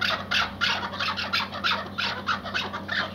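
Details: Iraqi white hunting partridge, kept tethered for hunting, giving fast, bright, grating notes, over three per second, in uneven bursts.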